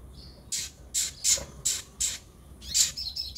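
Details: Van Hasselt's sunbird (kolibri ninja) sound played to coax newly bought caged birds into singing; a series of sharp, very high, clipped chirps about every half second, with a faint thin whistle at the start.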